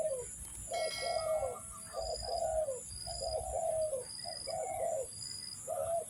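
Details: Cooing spotted dove in a trapping lure setting, giving rhythmic hollow phrases of a short note and a longer descending coo, repeated about every second and a half, with a faint high whine and a few distant chirps.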